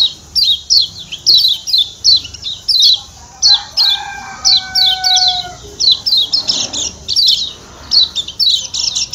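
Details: Lombok white-eye, ciak-ciak call series of thin, falling chirps in irregular runs, about forty-four per minute, with a sustained multi-pitched note partway through and rougher chattering toward the close.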